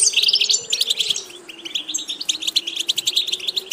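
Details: Goldfinch song from a bird being trained for diverse repeated phrases: quick liquid twitters and dry chattering notes run together, becoming a rhythmic series of clipped chirps in the second half.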